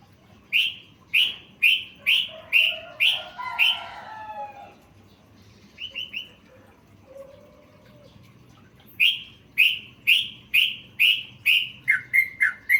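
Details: Yellow-vented bulbul singing a masteran song full of learned phrases: loud, repeated falling chirps, a pause with soft whistles and short notes, then more chirps that speed into quick, lower paired notes.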